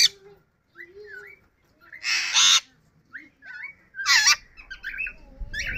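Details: Talking yellow ringneck parrot, kept as a pet, mixes short whistled word-like notes with loud, grating screeches, giving uneven phrases with gaps between them.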